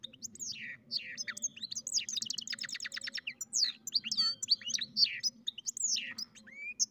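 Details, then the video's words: Mule bird, a goldfinch crossed with a canary, singing a lively mix of fast trills, downward whistles and chirps, with a low hum in the background. "καρδερινοκαναρο κελάηδημα (European Goldfinch carduelis mule singing)"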